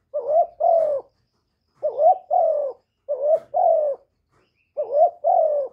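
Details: Spotted dove calling to stimulate newly kept doves, recorded close without background noise: paired coos, a short rising note then a longer level-to-falling note, the pair repeated about every 1.5 seconds, clean and low-pitched.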